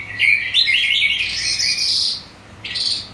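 Calandra lark song: a fast, continuous stream of bright chirps, trills and scratchy notes, high-pitched and varied, with a brief pause before it resumes.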